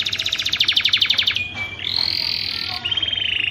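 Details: Canary song used as a lure to set canaries singing and wanting to mate: fast buzzy trills of rapidly repeated high notes, then a thin steady whistle and a bright sustained rattle, ending in another quick trill.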